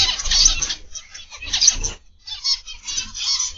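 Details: Zebra finches in an aviary on a morning, giving a dense chatter of harsh, nasal high calls in three bursts separated by short pauses, with low thumping noise underneath.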